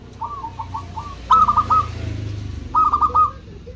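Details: Local zebra dove song meant to lure rivals into replying: faint rolling coo, then two clearer series of quick staccato cooing notes, against a low rumbling background.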